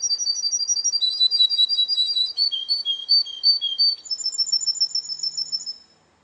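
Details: At a singing contest, a Russian canary delivers rapid runs of repeated high chirps that shift pitch from phrase to phrase. It finishes with a quick, very high rolling trill that fades out.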